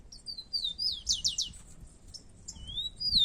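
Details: Outdoors, two rufous-collared sparrows compete in song. A thin slurred whistle leads into a quick burst of three or four loud downward-sweeping notes, then fainter whistles and a final drawn-out rising-falling whistle.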